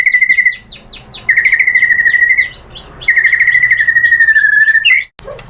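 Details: White-rumped shama lure song to stir a rival: three long steady whistled trills of rapid repeated notes, each lasting one to two seconds, separated by short gaps.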